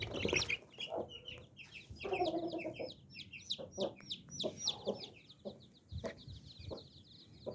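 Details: Mother hen with nine baby chicks: low hen clucks and a drawn-out murmuring cluck mingle with a dense chorus of high, rapid chick peeps throughout.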